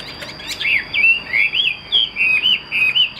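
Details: Chinese hwamei in a cage, a fighting bird with fanned tail, giving a brisk string of looping whistled phrases, each rising then falling, repeated several times a second over a quiet hiss and a thin steady high tone.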